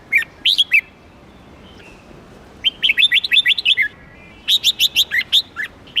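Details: Red-whiskered bulbul song of lively, clear whistled notes delivered in rapid runs of six to eight, with short gaps between phrases and a quiet hissing background.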